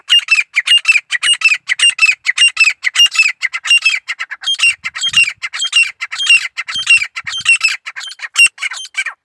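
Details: Long, continuous grey francolin song, a dense chain of shrill, rasping squawks that keep repeating in uneven groups for about nine seconds, with a few faint low thuds.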